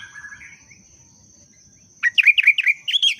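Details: Sooty-headed bulbul in breeding condition, a sound meant to boost other birds: after quiet soft notes, a fast bubbly burst of five or six chirpy, rising-and-falling whistled notes closes the clip over a constant thin high tone.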